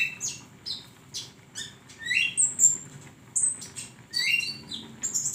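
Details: Flowerpecker voice from a songbird training recording: thin high ticks and sweeping upslurred whistles in uneven clusters, some notes louder and buzzier.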